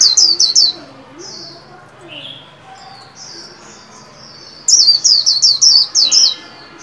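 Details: White-eye in a cage, trained to sing líu for the new year 2021: a short run of fast high slurred notes, a pause filled with soft chirps and warbles, then a louder rapid string of six descending whistles.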